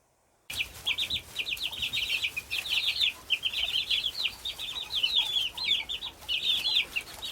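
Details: Chicks cheeping, the sound called cheep: dense, high, thin peeps in rapid overlapping runs, several birds calling at once with no pause, faint rustling beneath.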